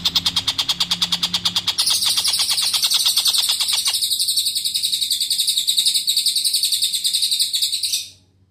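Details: Long-tailed shrike in full song, used as a tutor recording for magpie robins: rapid harsh chattering notes that shift into a sustained, high, buzzy, rasping stream, then stop abruptly.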